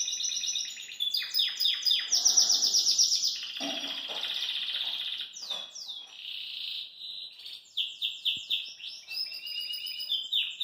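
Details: Belgian canary singing cheerfully while hopping in its cage: dense, high warbled song with rapid trills, sweeping descending notes and long rolling tours, phrases changing every second or two, continuous throughout.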